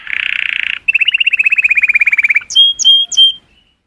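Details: Colour canary song to stimulate hens, opening with a buzzy rapid roll, then a quick descending chain of notes and three bright whistles with sharp upper flicks.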